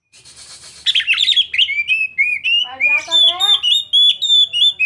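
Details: Young Oriental magpie-robin in full song: after a brief noisy hiss, a run of sweet whistled notes, slurred phrases and quick repeated chirps, about three per second, over a faint low hum.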